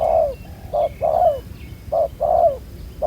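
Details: Spotted dove, a wild-caught bird with a black bead collar that coos well, recorded while trapping with a ground decoy. Short and drawn-out falling coos alternate in close pairs.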